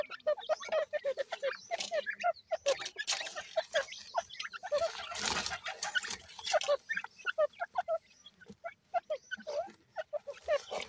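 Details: Grey francolin chicks at 20 days old, kept in care, give rapid repeated short peeping calls, many birds overlapping in a busy chatter, with some rustling and brief broadband noises.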